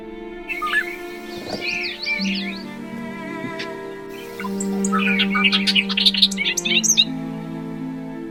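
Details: Bobolink (Dolichonyx oryzivorus) song, sung by males in flight displays over grasslands and hayfields in breeding season: two bursts of bubbling, tumbling, metallic R2-D2-like twangs and buzzy notes, over background music.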